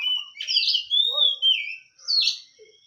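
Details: Oriental magpie-robin, hot-tempered type, delivering strong whistled notes that slide down and up, with a few short rougher phrases, in a clean recording without other sounds.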